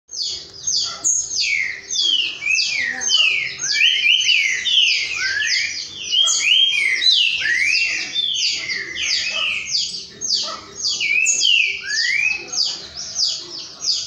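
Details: Several green-winged saltators of the boiadeiro song style singing together, a dense overlapping chorus of loud, clear whistled phrases built from quick downslurred and rising notes, sung almost without pause for fourteen seconds.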